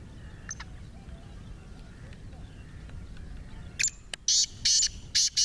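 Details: Partridge said to give 28 calls, linked to partridge fighting: after several seconds of quiet rural background with faint ticks, a rapid run of four or five harsh, rasping bursts closes the recording.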